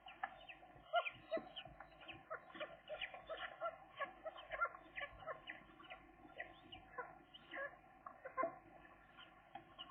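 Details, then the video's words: Pair of seagull chicks at day 13, still cautious while learning to reach the food tray; a steady stream of short, clucking, squeaky notes repeated in quick irregular succession, with a few louder sharp peaks. "seagull chicks, day 13 update"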